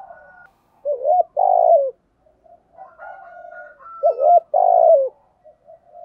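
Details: Spotted dove cooing as a lure for wild doves. Two loud phrases sound about three seconds apart, each a quick kinked double note and a sustained falling hoot, with soft low cooing and a faint thin whistle between.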